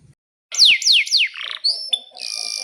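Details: Canary song used as a lure to prompt other canaries to sing: three loud descending whistled sweeps in quick succession, a short buzzy trill, then sustained high piercing notes and chips.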